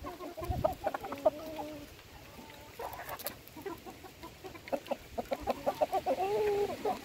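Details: Feeding hens, drawn-out whining calls mixed with quick clucks from several birds, with quieter gaps and light background noise.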